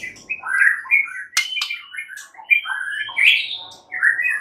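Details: White-rumped shama singing to draw an answer from a mute shama: busy warbled phrases of slurred whistles and chirps, with one sharp click in the middle.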